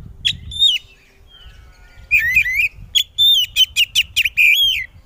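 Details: Loud Oriental magpie-robin song meant to make other magpie-robins respond: a short whistle, a pause, then a fast run of warbled rolling phrases and sharp repeated whistled notes.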